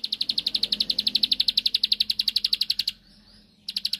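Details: Bar-winged prinia singing to provoke a rival: a long rapid run of sharp, high ticking notes, a pause of under a second, then the fast clicking resumes.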